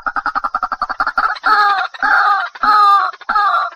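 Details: White-breasted waterhen: a rapid run of short clucking notes, then loud harsh nasal calls, each lasting about half a second and repeated roughly every 0.6 seconds.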